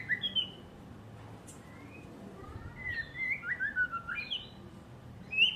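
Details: Kept white-rumped shama pours out fluting whistles that swoop up and down, building into a faster, busier run of bright notes toward the end.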